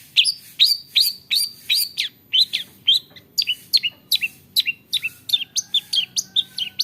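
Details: Long-tailed shrike, known for copying the calls of many other birds, repeating a sharp rising chirp about three times a second, each note high and clipped, the phrase shifting slightly in shape partway through.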